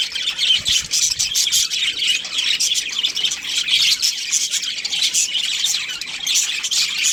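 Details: Breeding pair of budgerigars chirping: dense, scratchy warbling chatter with quick buzzy and squeaky notes running almost without pause, short bursts overlapping through the whole stretch.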